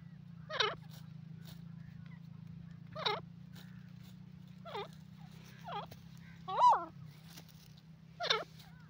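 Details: Francolin (teetar) giving widely spaced, wavering, squeaky notes that swoop down and back up, about one every one to two seconds, over a steady low background hum.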